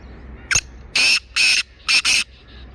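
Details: Black francolin in Sindh, Pakistan, giving a short sharp click followed by four harsh, grating, buzzy notes of about a quarter second each, the last two run close together, over a quiet hissy background.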